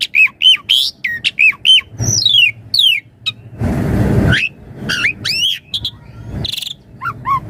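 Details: Javan pied starling song for training and luring starlings: crisp looping whistles and downward-sweeping notes, interrupted by a half-second burst of broad harsh noise, then more rising and falling whistles and chatter.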